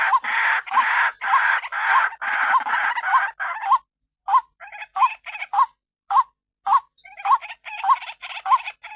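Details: Lure call of a white-breasted waterhen for attracting others of its kind: a loud run of rasping, sustained croaks, then a pause, followed by shorter spaced harsh notes repeated irregularly.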